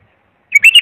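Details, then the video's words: Bulbul giving a pure tutoring phrase for young bulbuls: a brief rising whistle followed by two rich, warbled notes, all within about half a second. "تغريد صافي يفيد اذا عندك بلابل صغار او بلبل ميغرد"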